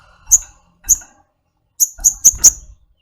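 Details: Two spaced, very high ticks from a kept flowerpecker, then a rapid run of four similar ticks in quick succession.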